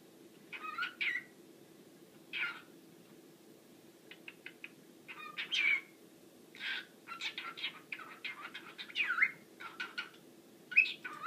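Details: A pet male cockatiel, camera-shy, sings through the words and whistled songs he knows in his normal routine: chirpy whistles and warbled phrases over a low steady hum.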